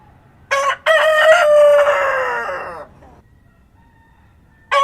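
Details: Farm rooster at daybreak in rural surroundings gives a full crow: a sharp first syllable, a pause, then a sustained, slowly falling call lasting about two seconds, followed by quiet and the start of another crow.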